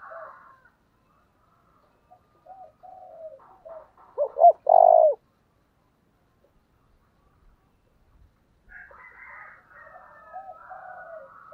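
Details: Spotted dove in the 'giọng thổ' style: soft broken cooing notes build into loud, rounded hoots, then a pause. Fainter, higher, buzzy cooing from another bird follows.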